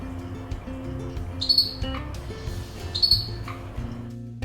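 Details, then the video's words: Budgerigar, likely female (females more aggressive; males also do it), gives two harsh, high scratchy squawks complaining when bothered or angry, over soft background music. "when your budgie is bothered by something or pissed off you'll hear them complain with this sound"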